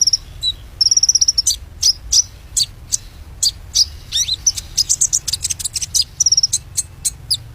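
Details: White-rumped shama, a kept songbird, singing a fast, varied song of sharp high chirps, whistled trills and rapid clicking bursts, with brief pauses between phrases.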